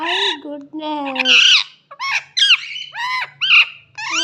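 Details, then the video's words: A parrot talks in a throaty, voice-like tone, with drawn-out low syllables at first, then a string of choppy higher squawked notes and brief pauses, all close and loud indoors. "parrot talking"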